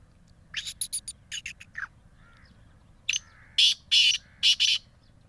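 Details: Black francolin from Bhakkar district: a quick run of short scratchy clicks, a pause, then four loud rasping notes in an uneven rhythm.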